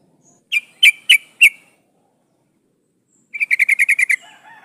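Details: Sooty-headed bulbul female in breeding condition, calling the male, used as a lure recording: four spaced sharp chips, a pause, then a fast run of about eight clipped bright notes.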